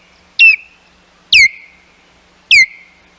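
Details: Ospreys at the Hog Island nest on 11 May 2021 as intruders approach: three loud piercing whistles, each dropping quickly in pitch and ending in a thin held tone, spaced about a second apart.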